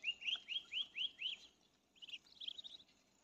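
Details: A Muscovy duck, while feeding on grain, gives six thin, high, upslurred peeps about four a second, then a short burst of quicker, higher chirps.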